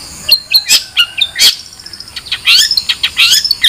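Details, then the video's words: Long-tailed shrike giving a jumbled, varied chatter of sharp, harsh notes and high twitters in dense, overlapping bursts. "Suara Burung Cendet"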